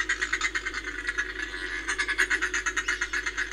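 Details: Northern fulmar recorded at Reykjavik, Iceland, on 25 April 2024: a continuous run of rapid, harsh, guttural pulses, about three per second, forming a throaty cackle throughout.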